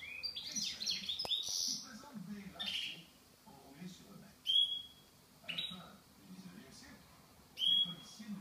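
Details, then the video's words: Goldfinch mule giving bursts of high chirps and sharp rising whistled notes, one every few seconds, with quieter twitters between phrases and a faint low hum in the background. "mullet chardonneret"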